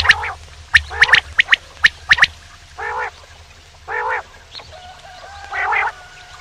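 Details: Male common quail giving quick paired and tripled sharp notes early on, then several separate nasal, harmonic, gargling bursts spaced about a second apart.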